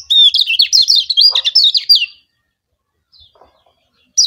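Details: Lombok yellow white-eye (kecial kuning) singing a lure song to make rival birds sing. A continuous two-second stream of fast, high, looping whistled notes and chatter is followed by quiet, then a new high burst begins.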